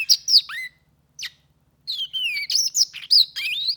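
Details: Black-throated canary, hand-tame, giving a few separate sliding whistles and chirps, then a more sustained phrase of rising and falling clear whistled notes.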